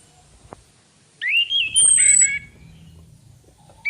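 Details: Female orange-headed thrush lure call: one loud phrase of a rising warbled whistle leading into a high thin descending whistle and harsher buzzy notes, after a near-silent start, with another phrase beginning at the end.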